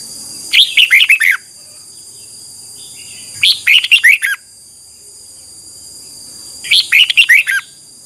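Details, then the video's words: Morning lure song of a red-whiskered bulbul for training wild-caught birds: three evenly spaced, brisk, bubbly phrases of clustered chirps, about three seconds apart, over a constant high whine. "Luyện chào mào hót sáng, QUÁ HAY - CHÉ KÍCH BỔI CĂNG ĐÉT, luyện chào mào bổi hót căng lửa"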